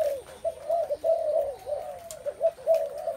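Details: Overlapping low coos from many spotted doves, soft dipping notes repeated roughly every second in loose succession, with a thin steady high hum in the background.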